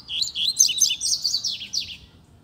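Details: Wild double-collared seedeater in a neighbourhood sings a clear, dense stream of rapid high twittering notes, fluttering and slurred, lasting about two seconds with little background noise.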